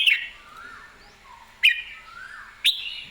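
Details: Red-whiskered bulbul in excited, clear song: three sharp whistled notes about a second apart, each trailing into softer gliding tones, with quiet background.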